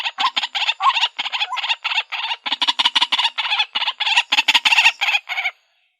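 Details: Harsh, raspy calls of a white-breasted waterhen, on a decoy recording made with a Xiaomi Redmi Note 8: fast, grating bursts running together for about five seconds, then silence.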